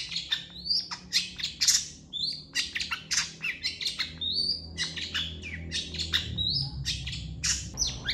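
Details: Long-tailed shrike (Lanius schach), song: master song used to train other songbirds.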